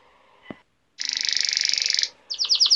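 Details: Male canary song for tutoring young canaries: after a single click and a short pause, a dense, buzzy rolling trill lasting about a second, followed by a quick run of bright chirped notes.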